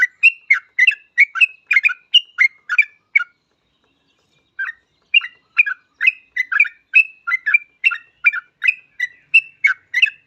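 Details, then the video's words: Yellow-vented bulbul singing to lure other bulbuls into song: a long run of quick, bubbly whistled notes that rise and fall, delivered steadily with one brief pause, fairly loud and clear against a quiet background. "Trucuk gacor ini paling cocok buat pancingan trucuk lain agar cepat bunyi"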